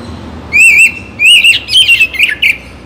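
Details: Oriental magpie-robin song for morning and evening: two clear wavering whistles separated by a pause, then a jumble of short twisting whistled notes and chirps.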